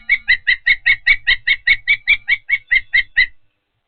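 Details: Osprey at Patuxent River Park nest during feeding: a fast series of short, sharp whistled chirps, about two and a half per second, slightly hoarse and evenly spaced, over faint low rumbling.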